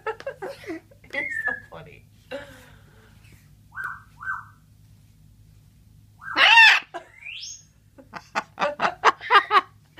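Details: Pet military macaw (Ara militaris), a male, excitedly playing with bathroom towels, laughing and cooing: a loud, raspy, laugh-like squawk sweeping upward, then short chattering bursts, while a person talks quietly early on.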